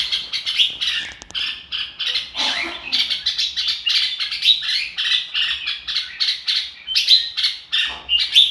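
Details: Red-whiskered bulbul delivering "ro kích bổi" singing: continuous lively twittering made of clipped bright notes, a short softer lower passage early on, then brisk chattering phrases with clear whistled highlights toward the end.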